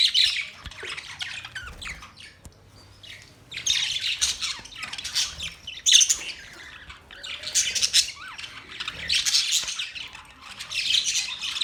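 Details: Budgie chirping that comes in bursts: loud stretches of high squeaky chatter alternate with quieter gaps every couple of seconds.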